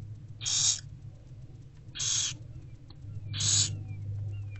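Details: In an owl box during daylight on 15 February 2024, barn owl nestlings fed by their mother give three harsh, rasping hisses at regular intervals of about 1.5 seconds, each short and noisy, over a low hum.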